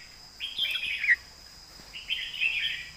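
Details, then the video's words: Red-whiskered bulbul kept for song competition in Thailand, delivering two bright warbled phrases of fluid whistled notes, each under a second, separated by a short pause over faint background hiss. "ใส่เต็มทุกดอก"แกนเสียงหนา เพลงแม่บท/นกแข่ง"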